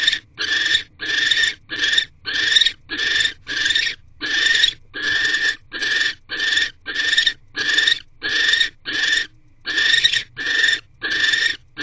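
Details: Barn owl pair in nest box C, 6:04 pm, 19 January 2024, during a food delivery from the male. A long, steady run of about eighteen harsh, wheezy screech-hisses in quick succession, with short clean pauses.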